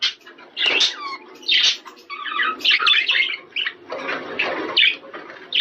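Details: Budgerigars chattering in a breeding-stimulation recording: scratchy squawks and short whistled, warbled phrases in bursts, with brief quieter gaps between them.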